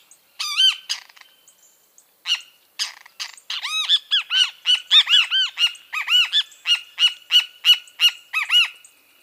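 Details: Bem-te-vi, the great kiskadee, calling in a long lively run: harsh clipped notes and arched, drawn-out syllables repeated about once a second after a short pause near the start.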